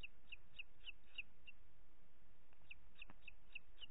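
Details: Evening feeding of two chicks by a booted eagle mother at the nest, Ports Natural Park, Catalonia, 25 June 2021, 21:38: high, piercing chip notes in quick series, a short gap, then more, against a hissing background.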